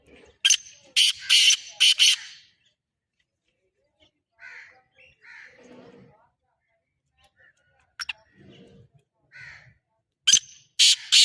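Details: Black francolin, known locally as kala teetar, gives a loud series of harsh, rasping notes. A quiet gap with soft, faint calls follows, then the grating phrase starts again near the end.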